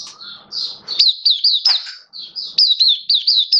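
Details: High, sweet twittering song from a caged Oriental white-eye, 27 October 2022, with looping up-and-down whistled notes repeated in quick clusters over faint low household background sound.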